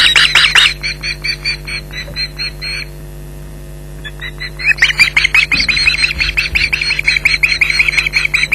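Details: Osprey alarm at a Loch Garten nest, both birds calling at an intruder: loud harsh yelps, then a brief thin whistled series, a pause, and a renewed burst of rapid grating calls over low hum.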